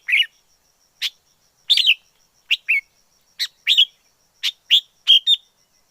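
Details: Red-whiskered bulbul from the wild, singing a series of short, bright, warbled whistles, single and paired notes spaced about half a second to a second apart, with a faint high background tone.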